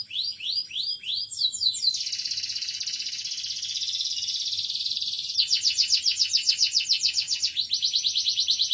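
A domestic canary sings a bright, high song: quick rising chirps, then long fast trills and rolling, rapidly pulsed phrases, with no other sounds.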